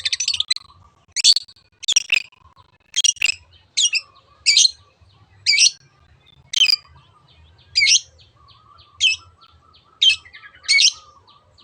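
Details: Long-tailed shrike giving 'teot teot' song as a lure to prompt other birds to sing: sharp, harsh, buzzy notes spaced roughly every second, with softer twittering between them and a faint low hum.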